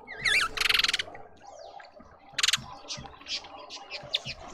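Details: Several mousebirds in a suburban garden in Pretoria, South Africa, near a feeder: a quick wavy whistle runs into a dense buzzy rattle, followed by another rattle and scattered high chirps.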